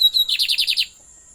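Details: Lined seedeater kept as a pet: two short whistled notes lead into a run of about six rhythmic, descending buzzy slurs, delivered briskly and then stopping into silence.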